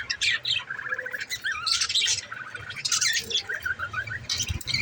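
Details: Pet budgerigar warbling in rapid, irregular bursts of scratchy chirps, clicks and short rising whistles, the chatter pausing briefly between phrases over a soft background hum.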